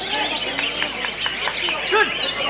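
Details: Greater green leafbird (cucak ijo) performing in a singing competition at the Piala Kerajaan Kediri event in Kediri, Indonesia; rapid, varied whistled phrases with sharp rising and falling notes, amid crowd chatter and many other singing birds.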